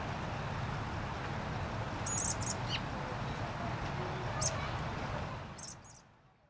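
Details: In spring in gardens at Hermann Park, Houston, Texas, American robin chicks following a parent, probably the mother, beg for food with thin, very high squeaks in short bursts, in a few clusters over several seconds, over a steady low rumble.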